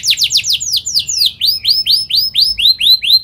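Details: An Atlantic canary in full song, used as a lure recording to teach young canaries: a fast run of high, descending chirps, then a steady series of bright, rising-falling notes, about four per second.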